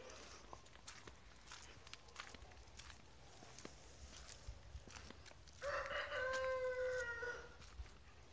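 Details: Rooster on a farm crows once near the end, a rich, harmonic call nearly two seconds long, preceded by several seconds of quiet scratching and clicking sounds.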